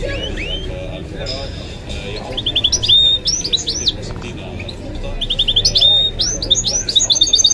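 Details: Goldfinch-canary mule song in short bursts: quiet high notes at first, then loud looping whistled phrases and rapid trills, separated by a brief pause.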